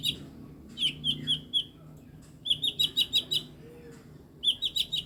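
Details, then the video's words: Mini blue-winged leafbird, eight years old, making strange sounds: bursts of sharp, high chipping notes repeated in quick series of four to six, with brief pauses between runs. "CUCAK IJO MINI BERSUARA ANEH"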